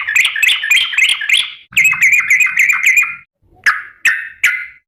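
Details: Yellow-vented bulbul calling to its companions: two rapid runs of sharp, bubbly chirps, then three separate downward-slurred whistled notes spaced about half a second apart. No other sounds.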